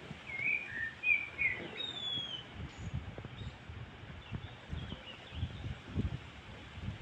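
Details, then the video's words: Birdsong along a seaside boulevard: a quick burst of high chirps and a thin descending whistle in the first two seconds, then only a continuous low background rumble of wind and ambient noise. "śpiew ptaków na Bulwarze Nadmorskim"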